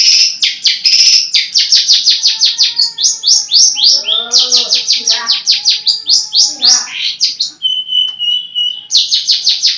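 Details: Long-tailed shrike, a captive songbird, delivering a rapid run of sharp chips and short buzzy notes mixed with softer warbles, ending with a thin steady whistle before the chips resume.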